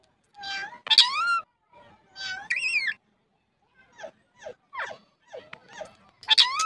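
A ringneck parrot talks in a nasal, squawky voice: two drawn-out phrases, a run of quick clipped syllables, then a final shrill phrase. No other sounds.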